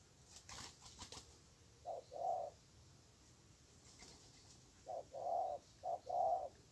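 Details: Spotted dove, a fierce wild bird answering a weaker decoy bird during trapping; two low, mellow cooing phrases, each a short note then a longer rolling coo, separated by a pause, with faint rustling early on.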